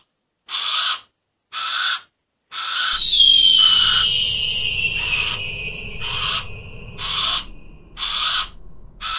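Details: Harris's hawk giving harsh, raspy squawks, short noisy bursts repeated about once a second, nine in all, with a thin whistled tone sliding slowly downward through the middle and a low rumbling background starting partway through.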